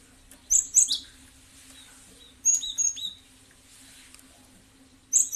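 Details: Lure recording of a cinereous tit, gelatik batu, meant to provoke other birds to respond: three spaced groups of piercing high chirps and short downslurred notes over about five seconds.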